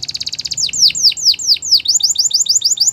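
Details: Yellow canary singing in the morning: a fast run of bright chirps, then a series of loud downward-sweeping whistles, then quick high repeated notes.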